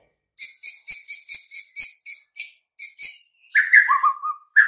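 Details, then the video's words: Master recording of white-rumped shama song for silent birds: a rapid, steady series of clear high piping notes, then a lower slurred whistle ending the phrase. "Nggak butuh waktu lama Murai Batu BISU & LOYO langsung NYAUT Seketika dengan MASTERAN Ini"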